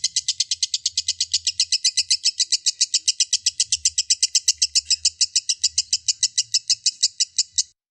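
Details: Lovebird delivering an extended ngekek, a fast unbroken stream of high harsh chattering notes for nearly eight seconds, ending abruptly, with faint low rumbling in the background.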